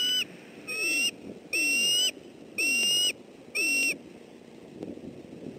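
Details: Male bald eagle at a southwest Florida nest on 28 December 2013, protecting his family from an intruder; four high ringing cries, each about half a second, spaced about a second apart, with a fainter falling squeal beneath.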